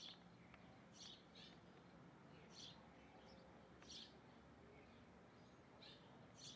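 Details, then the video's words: Hornero heard while it feeds, giving brief high chipping notes in small groups every second or so, quiet against a constant low-pitched background noise. "Hornero comiendo"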